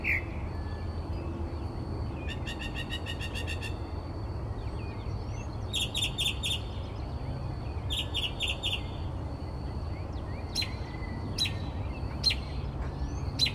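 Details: Northern mockingbird singing at night around 4 am outside a bedroom window in Texas: varied phrases, including rapid strings of repeated sharp notes and bright clipped chirps, over a steady low rumble and a constant thin high tone.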